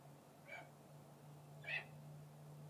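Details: Male red-tailed hawk, a captive falconry bird, calls while bathing and talking to a visiting hawk outside his mews: two short, harsh, hoarse notes about a second apart over a steady low hum.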